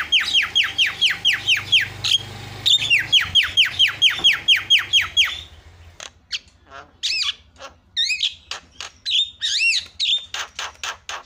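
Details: Javan myna lure played to set other mynas calling: a rapid, steady string of about twenty downslurred whistled notes, roughly two per second, then broken chatter of clicks and wavering whistles over a low hum.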